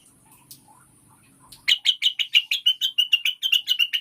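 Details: Lure recording of cucak wilis, also called rengganis (Blue-winged Leafbird), for prompting caged birds into full song. After a quiet low hum, a rapid string of about fourteen clear, high chirps repeats evenly to the end.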